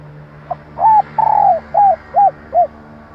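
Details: Calls of a female spotted dove, played to excite decoy males into answering: a faint pickup note, a hooked coo, a long steady coo, then three short arched coos in quick succession.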